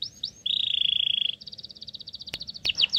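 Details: Sooty-headed bulbul nestling reared on crickets, begging: brief chirps, then a steady, buzzy high note lasting about a second, followed by a fast pulsing series of thin chirps interrupted by two sharp clicks.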